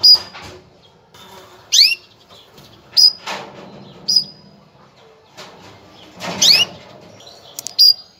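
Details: Female canary calling to ready males for breeding: a few scattered high chirps and rising sweeps, separated by loud rustling and flutter-like bursts of noise.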